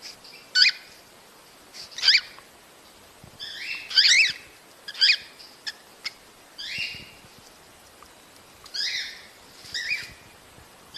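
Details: Cockatiel mating calls meant to encourage breeding: separate harmonic chirps, some with a falling inflection, repeated every one to two seconds over quiet background hiss.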